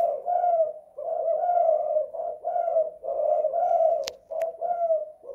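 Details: Tekukur, or spotted dove, calling indoors in the 'kuk 2 / guk 1' style, with deep burred coos flowing into one another and a sharp click partway through.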